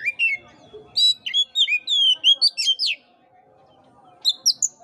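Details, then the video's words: Oriental magpie-robin song played to coax a sluggish bird to sing: a clean run of bright whistled notes, some slurring down and some rising, then a pause before high sharp chirps. "pancingan kacer jitu dan ampuh buat kacer loyo kurang ber gairah"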